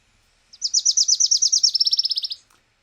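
Wilson's Warbler song: a rapid, high chattering series of about twenty chips, the second half quicker and slightly lower in pitch.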